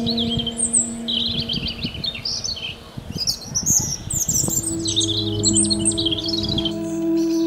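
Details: European robin singing in a natural setting: high, thin, fast warbled phrases with sliding notes, delivered in bursts, over a steady low hum and some rustling.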